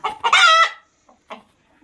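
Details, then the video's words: Rooster crowing: two short harmonic notes, then a sustained, bright, strongly harmonic note of about half a second that fades, followed by a faint short call. "صوت صياح الديك | Rooster Crowing"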